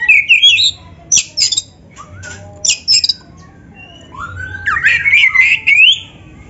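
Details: Lively Oriental magpie-robin song intended as a training model for lazy or beginner birds: sharp clipped high notes and harsh bursts, then a long, warbling whistled phrase climbing and wavering near the end.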